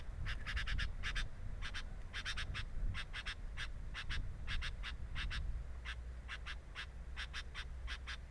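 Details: Nest camera at a sooty-headed bulbul's nest records rapid runs of short buzzy, grating notes in groups of two to four, continuing without a break over a strong low rumbling background.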